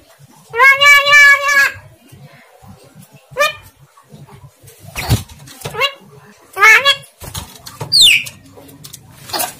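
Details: Javan myna attempting to talk, its speech said to be unclear; a nasal, harmonic voice-like phrase lasting about a second, then shorter wavering syllables, a sharp click and a high descending whistle near the end.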